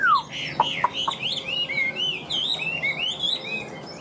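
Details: Chinese hwamei kept in a cage, newly moulted, delivering a falling whistle, a few sharp taps, then a string of rising and falling slurred whistles.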